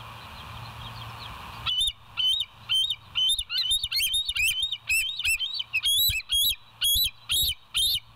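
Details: Bald eagle at the West End nest on a live cam, 20 July 2023, 05:04: after a quiet start, sharp high whistled chatter bursts out, notes tumbling irregularly about two per second and continuing without pause.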